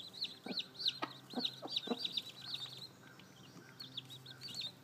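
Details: Seven newly hatched chicks with their brooding hen call in rapid high peeps. A few low soft clucks come in the first two seconds, then fewer and quieter peeps.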